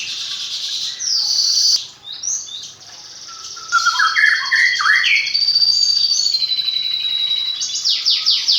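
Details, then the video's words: Caged magpie-robin, hand-raised from a fledgling, sings a fluent song full of mimicked phrases: high whistled sweeps and buzzy trills, a short quieter gap midway, then a dense run of rising and falling notes with rapid chatter at the end. "Burung murai rawatan dari trotol hasilnya lebih maksimal isian faseh2"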